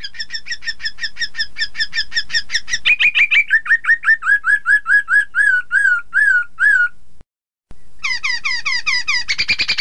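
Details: Chinese hwamei, known as Hong Kong poksay or Mandarin poksay, played to make rival birds sing along: loud varied whistled song with fast repeated slurred notes, a rising series of downslurred phrases, a brief pause, then rapid buzzy trills.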